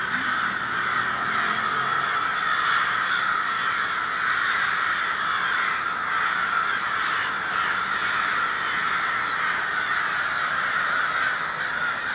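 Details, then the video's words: A February 20, 2020 murder of crows in Minneapolis, Minnesota, sustains a long, even chorus of harsh, grating caws from many birds at once. "A Murder of Crows"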